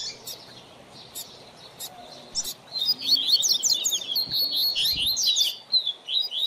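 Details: Seedeater (coleiro or papa-capim) kept for song training of a young bird: a few sharp isolated clicks, then a sustained, fast run of high chirps, trills and slurred notes over faint low hum.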